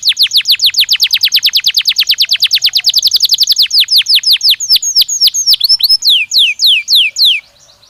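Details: Belgian canary singing as a training stimulus: a fast trill of descending notes that gradually slows into separate, longer falling slurs before stopping.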